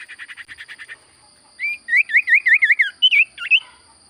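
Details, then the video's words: Common iora, called sirtu cipoh, singing: a quick soft rattle of even chirps, then a loud string of repeated wavy looping whistles and two higher twisting notes; constant high electronic tone. "Burung sirtu cipoh gacor suara paling Top cer sirtu cipoh diam langsung nyaut"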